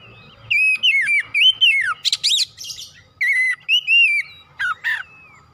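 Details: Oriental magpie-robin pouring out a varied song in the full, energetic style: fast runs of looping whistles, descending slurs and rough buzzy notes, then more clear whistled phrases.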